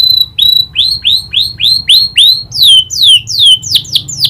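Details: Canary, trained to copy the prinia's clicking call, gives clear whistled upslurs about three per second. These then turn into sharper downslurred notes.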